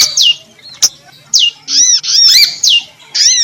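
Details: Calls of a female prinia, locally prinjak lumut, used as a lure: high arched notes falling in pitch, a few at a time, with a sharp tick between them.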